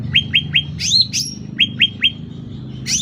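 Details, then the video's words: Brief loud sooty-headed bulbul phrase used as master or lure sound: three fast chips, two swept whistles, then three more chips and a final rising note. "Suara Cucak Ranting Gacor Volume Keras"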